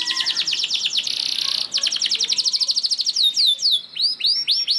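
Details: Canary song used to coax other canaries to sing: rapid high trill, a buzzy harsh stretch, another quick even trill, then slower arched whistled notes at the end.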